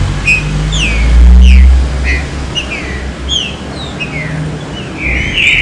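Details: Green-winged saltator singing in the fine 'serrinha' style used to stir other saltators into song: a series of short, bright down-slurred whistles repeated about every half second, ending in a louder rich phrase, over a steady low engine hum.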